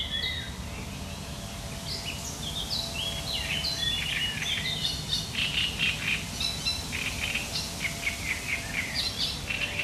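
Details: Great reed warbler song recorded 1 July 2020, harsh and chattering: dense runs of grating, scratchy notes repeated rapidly, about four per second, over a steady low rumble of background noise.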